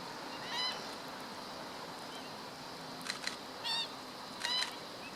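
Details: Black-winged stilt, 17 August 2013: four sharp, honking yelps spaced irregularly over about four seconds, each short and harmonically rich, standing out from a flat background hiss.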